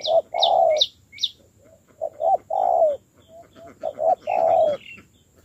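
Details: Spotted dove in training as a decoy, coaxed to coo. Hollow low coos come as short notes and long drawn notes in clusters. Sharp high chirps from another bird sound early on.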